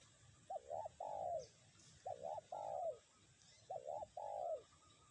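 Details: Spotted dove kept as a lure bird, calling in strong wind in the 'kuk 1' pattern: three even phrases of a quick double hooked note then a drawn-out falling coo, roughly every 1.6 seconds, over wind noise.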